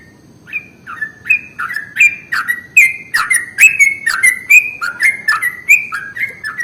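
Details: Bulbul lure sound aimed at yellow-vented bulbuls. A steady stream of bright, bubbly notes starts softly, then strengthens, alternating rising and dipping slurs at about two per second.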